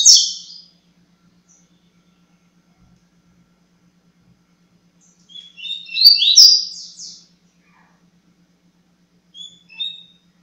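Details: Seedeater (coleiro) singing in the Tui Tui Zero Zero song style: a short high twittering burst, then after a pause a longer phrase of quick, bright slurred whistles with trills, and a brief closing twitter; faint low hum.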